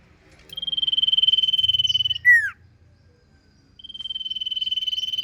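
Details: Sirpu singing in ngentir style: a long fast buzzy pulsed trill on one pitch lasting about one and a half seconds, broken by a loud descending slurred note, then the trill resumes.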